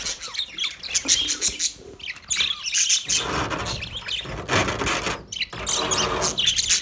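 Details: Male budgies chirp in high scratchy bursts, with broader rustling noise mixed in during the second half.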